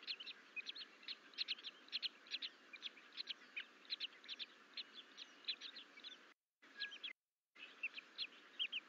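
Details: Two young bald eagles in the nest at Fort St Vrain, Colorado, 14 April 2024, exploring beyond the nest bowl while alone. Rapid, high-pitched chipping and twittering repeats unevenly throughout, with two brief dropouts near the end and steady hiss beneath.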